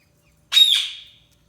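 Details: Budgerigar giving a single harsh, high squawk lasting about half a second, sharp at the start and trailing off, in otherwise near silence.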